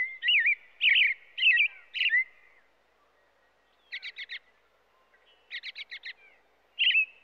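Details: American robin singing: loud clear whistled, warbling phrases at first, then quieter bursts of rapid stuttering notes, ending with another whistled phrase; no other sounds stand out.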